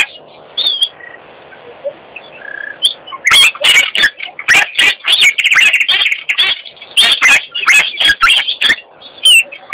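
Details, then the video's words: Abdim's stork giving dry, rapid clattering bursts, loud and irregular, over several seconds, after a quiet start with a few faint high whistles. "Abdim's Stork"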